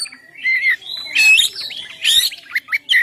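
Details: Oriental magpie-robin song meant to lure birds and set them singing: varied whistled slurs mixed with harsh squawky bursts and high chattering notes, delivered in quick uneven phrases.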